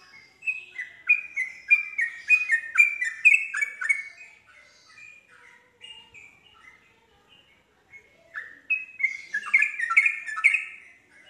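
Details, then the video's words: Yellow-vented bulbul singing as a lure for other bulbuls: a long rattling stream of quick warbled notes, a quieter pause with faint phrases in the middle, then another loud chattering burst. "respon cepat untuk Trucuk bahan macet langsung terpancing nyaut ikut nropel"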